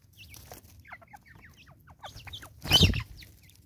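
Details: South African Natal spurfowl producing a chattering string of harsh, falling notes that accelerate and grow louder, ending in a loud noisy burst, then fading.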